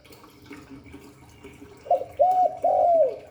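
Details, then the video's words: Spotted dove, Hạp Bổi song style: faint background murmur, then a short coo, a hooked coo and a long drawn-out coo that falls away at the end, low and soft in tone. "Tiếng chim cu gáy Giọng Hạp Bổi 38. Đủ bài THúc GÁY GỌI - GÙ HAY Kích Bổi Nhanh Nổi, Cu đất gáy"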